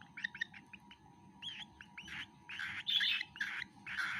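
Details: Baby cockatiel being fed, soft quick chirps at first, rising into louder, longer rasping begging notes toward the end.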